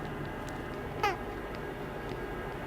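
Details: A kākāpō chick, in an externally pipped egg with hatching imminent, gives a single brief, slightly falling peep from inside the egg during the 2019 breeding season. The egg vibrates in the hand, over a steady low hum.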